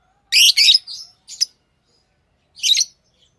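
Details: Pet lovebirds chirping: two harsh, buzzy high chirps close together, a softer short note, then another rasping chirp after a pause of about a second; quiet background.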